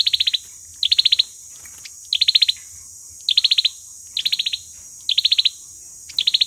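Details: Olive-backed sunbird giving its fighting song, a lure recording for trapping: six clipped, rapid trilled bursts spaced about a second apart, with a constant hissing background.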